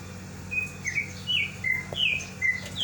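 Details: Caged lovebird calling to its companion that has left the cage: a run of short, high chirped notes, some rising and some falling, given about every half second against faint low background hum.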